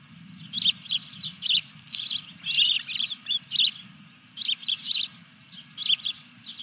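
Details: Ospreys calling at their nest as a fish arrives, 14 July 2021 near 21:23; sharp whistled chirps in short groups of two to four, separated by brief pauses, over a low steady hum.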